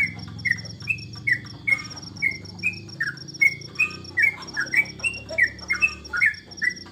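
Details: Home-kept trucukan, or yellow-vented bulbul, singing while bird contests were on holiday during Corona: clear, short, slurred chirps repeated steadily about two and a half per second, some doubled, over low humming noise and a faint high ticking line.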